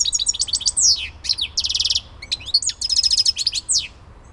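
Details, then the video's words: Goldfinch song linked to Elbasan, Albania: a fast, continuous, high-pitched twitter that mixes liquid trills, rapid repeated notes and sweeping downward slurs, with a short pause midway before the tumbling phrases resume. "civit elbasani"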